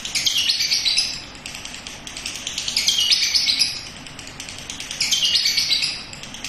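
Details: Young lovebird learning its sound on a terrace, giving ngekek chatter in dense, high, scratchy bursts about a second long, repeated every two seconds or so.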